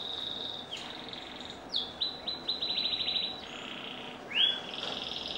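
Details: Canary song at moderate volume: a sustained high whistle, a swooping note, then a fast chattering rattle and a final loud rising whistle.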